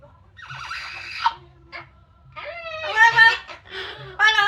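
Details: Pet Yellow-naped amazon outside in sunshine, extra noisy while drying off after a shower: harsh, harmonic-rich squawks and speech-like calls come in bursts separated by short pauses, with a faint low hum behind.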